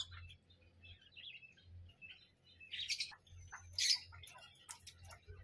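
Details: Parrot chattering in short high chirps and squeaks, sparse at first, then a denser burst of sharp notes midway, with a constant low hum beneath.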